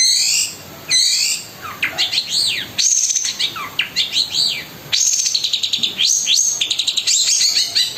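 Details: Cendet, the long-tailed shrike, with harsh 'kasaran' filler song: swooping whistles rising and falling in arcs, then a fast run of clipped repeated notes near the end.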